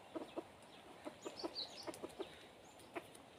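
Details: Red junglefowl used as a decoy to lure wild junglefowl: soft, low clucks in short uneven bursts, several in the first two seconds and one near the end, with faint high chirps of small birds and scattered clicks.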